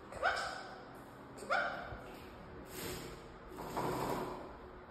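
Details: A pet Jenday conure taking a short shower gives two short, sharp chirping squawks about a second apart, followed by bursts of splashing water.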